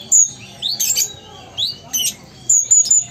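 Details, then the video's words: Caged Sumatran ruby-cheeked sunbird, known locally as kolibri ninja, in gacor singing: quick high tweets and short rising slurs come in rapid clusters about every half second, bright and piercing over a soft background hum. "Konin Gacor Kolibri Ninja Asli Sumatera"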